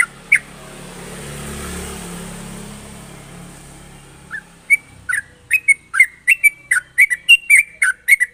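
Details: Sooty-headed bulbul song with sharp rapid trills, meant to lure other bulbuls to sing. Opens with a rushing, wind-like hiss and one note, then a quick series of clear, slurred whistled notes.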